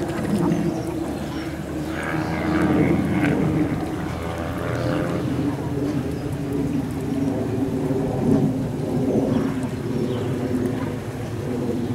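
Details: A steady low engine rumble fills the recording, with faint voices at times and no clear animal calls.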